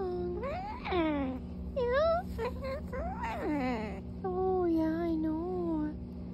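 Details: Indoor pet macaw in a good mood producing a run of warbling, whining calls that swoop up and down, some clipped and rapid, ending in a long gently wavering note, with a constant low hum and a person talking nearby.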